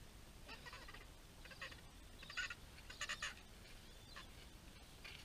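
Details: Gentoo penguins massed at Orne Harbor giving short, rasping, broadband honks in irregular bursts, several clustered close together around the middle, against constant wind-like background noise.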